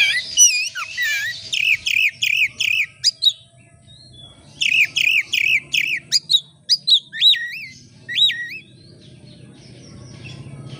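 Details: Oriental magpie-robin singing vigorously as a lure to set other birds singing, with runs of repeated looping whistled notes near two to four kilohertz, then bursts of harsh buzzy notes and sweeping whistles.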